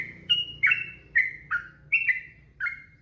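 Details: Yellow-vented bulbul singing a short series of six bright, slurred whistles, each note dropping in pitch, spaced roughly every half second, with a low murmuring background.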